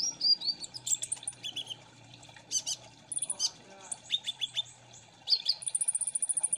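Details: Kolibri ninja sunbird lure song in ombyokan chorus style. Scratchy squeaks and high whistles in scattered bursts, a short pause, then a fast, even trill of sharp high ticks closing out, with low hum beneath early on.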